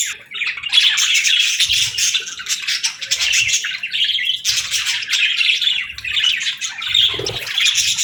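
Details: Group of budgerigars producing continuous chirping: fast, scratchy warbled notes and twittering overlap in long bursts, dipping briefly in loudness every couple of seconds, with soft low knocks in the background.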